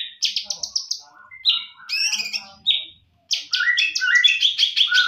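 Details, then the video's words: Champion greater green leafbird giving a full-fill tutor song: quick bright whistled notes repeated in a burst, then a complex warbled phrase, a brief pause, and a dense run of rapid chattering, trilled high notes. "Masteran Cucak Ijo Full Isian Burung Juara"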